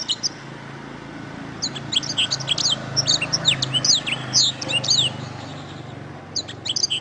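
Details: Canary song for training other songbirds: a short chirp, a pause, then a dense run of sharp, high, rattling notes, and a final brief burst, over a low background hum.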